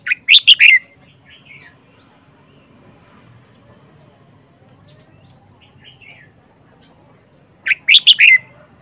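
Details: Caged red-whiskered bulbul, an older wild-caught bird kept four months, showing its distinctive song phrases: a loud burst of three or four bright chirping notes, a long quiet gap with a soft warble, then the same phrase again.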